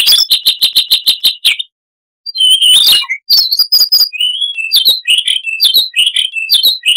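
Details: Siberian rubythroat, a small insectivorous songbird, opening with a quick, even series of eight or so sharp chirps, then after a pause a long chattering medley of whistles, buzzes and clicks.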